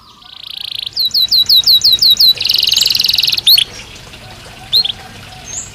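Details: Belgian canary singing naturally: a soft buzzy trill swelling in volume, then about eight quick rising-and-falling whistled slurs, a fast rattling trill, and a few scattered high chirps.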